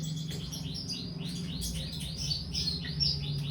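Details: Female lovebird in breeding condition, calling with rapid, squeaky, high chirps that arch up and down in quick succession, roughly three a second, over a faint low hum.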